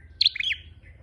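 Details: Single high chirp phrase from a red-headed flowerpecker used as a lure call: a bright piercing note, then quick tumbling slurred tweets fading into a thin trailing tone.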